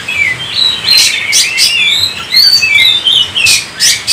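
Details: Oriental magpie-robin singing a brisk medley of sweet whistled notes and harsh, noisy bursts, phrases closely spaced with few silences.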